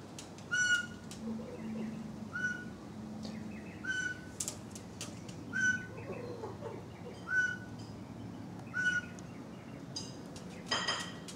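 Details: Pied Butcherbird at a backyard feeding session with magpies and kookaburras gives a pure, recorder-like whistle about every 1.5 seconds, six in all, the note it makes when wanting meat thrown; soft rustles, clicks and other birds behind.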